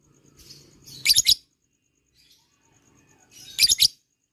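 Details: Lovebird played as a lure to provoke a long ngekek response. Two short bursts of shrill, squeaky chirps about two and a half seconds apart, with soft rustling before each.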